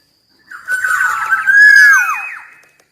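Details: Black-naped oriole (kepodang emas) song: one rich, liquid whistled phrase of wavering notes that swells, then falls away in descending slurs, with nothing else heard.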